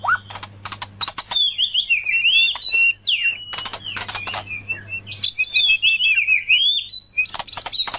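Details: Murai versus kacer recording of oriental magpie-robin song, used for luring and tutoring caged birds: bursts of sharp clicks alternate with long sweet whistled phrases that rise and fall, over a low hum.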